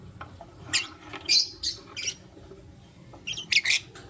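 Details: Lutino lovebirds, one male with two females, the male choosing between them, in the morning: sharp, harsh chirps in short bursts, some doubled, spaced unevenly over a few seconds against a low hum.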